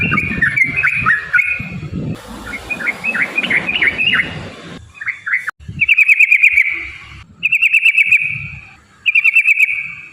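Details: Yellow-vented bulbul, used to prompt other bulbuls to sing, gives varied chattering warbles over background noise, then three separate bursts of fast, rattling trilled notes with short gaps between them.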